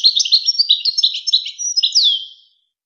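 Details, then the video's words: Song of a European goldfinch, played to tutor young goldfinches and hybrids: continuous tinkling twitter of quick varied notes ending in a clear descending slur, quiet background. "شريط وكر توزغة الشهير لتسميع فراخ الحسون و الهجين"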